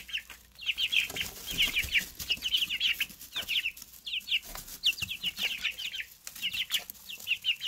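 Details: Brand-new Easter Egger chicks, three together, keep up a loud, steady chorus of piercing descending cheeps, several notes each second throughout.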